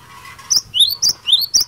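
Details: Cinereous tit giving a lively fighter-style song meant to provoke other birds into answering: five sharp, high whistled notes in quick succession, some sweeping upward, over a faint low hum.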